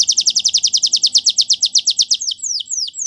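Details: A Spanish Timbrado canary delivers a steady rapid trill of bright repeated notes, about seven per second, ending in a few slower falling whistles.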